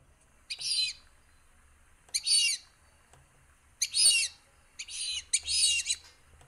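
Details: Fulvous Whistling-Duck at Sonso Lagoon, a tropical dry-forest wetland near Buga, Colombia, giving high, squeaky, wheezy whistles, five short bursts in about six seconds, some closely paired, over a faint low hum.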